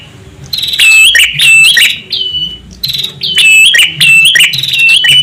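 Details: Prinia male and female calls for attracting birds: dense runs of sharp, high whistled and chirped notes, loud and continuous with brief dips between bursts.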